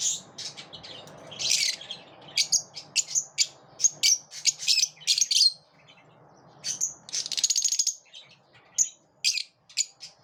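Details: Lovebirds living in a group and repelling one another: dense bursts of high, sharp chirps and squawky notes in quick runs, a short lull near the middle, then more clustered chirping to the end.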